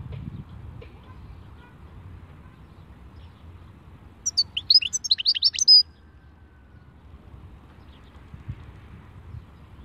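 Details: European goldfinch song in khalwi style: a fast run of about a second and a half of high, liquid twittering notes with quick up-and-down slurs, in otherwise quiet surroundings.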